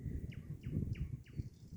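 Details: Nightingale singing at a dacha beside pine woods in late May spring, varied song seemingly copying other birds, repeating a quick, clear, downward-slurred whistle four times, about three per second, over low wind or handling rumble.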